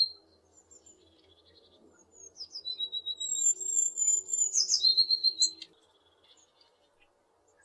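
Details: Tit recorded in west Poland with a Zoom H6 and RODE NTG4 microphone: after a quiet start with faint low hum, about three seconds of thin, very high drawn whistles and a brief dense twittering burst, then quiet again.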